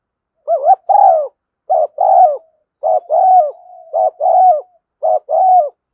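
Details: Spotted dove decoy calling, a female voice meant to stir decoy doves (thúc gù, gáy gọi): a brisk run of two-part coos, each a wavering short note and a longer hoarse coo, repeated about once a second, with a faint hum between phrases.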